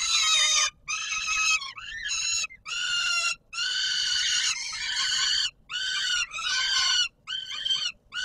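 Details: Feeding-time calling by a peregrine falcon on Warsaw's Palace of Culture and Science, 17 July 2022: insistent, nasal, harmonic screams repeated about once a second, some with a bending, sliding start.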